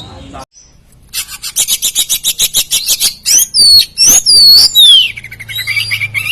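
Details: Kacer poci, an Oriental magpie-robin, in nembak-style competition song to rile opponents: a fast rasping series of about two notes a second, then long, clear, drooping whistles.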